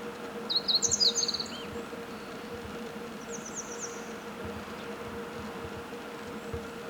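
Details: Meadow bunting singing, filmed handheld: one quick phrase of high, sharp, twittering notes over about a second, then a fainter, thinner repeat of the phrase a little later, over a steady low mechanical hum.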